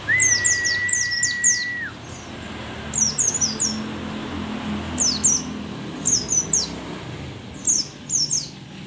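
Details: Older mountain white-eye from Merapi, said to be rare there, singing in repeated clusters of thin, very high descending chirps; the clip opens with a long flat whistled tone over low background rumble.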